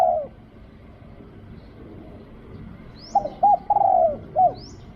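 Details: Spotted dove at a decoy-luring site, one fading coo, three seconds of quiet, then a rapid cluster of short hoots and a long falling coo; a small bird adds two thin upslurred chirps.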